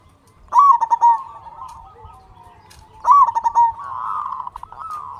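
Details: Local zebra dove known for frequent, big-voiced singing, used to prompt silent doves to sing. Two loud phrases start with a bright upward note and then run into quick throbbing pulses, and a softer dove chorus continues underneath.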